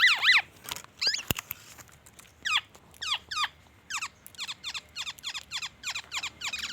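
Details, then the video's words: Kepodang emas, the black-naped oriole, delivering a song filled with white-rumped shama imitations: a loud opening swirl, isolated sharp clicks and downslurs, then a fast, accelerating run of short descending notes. "SUARA BURUNG KEPODANG EMAS GACOR BONGKAR ISIAN MURAI BATU"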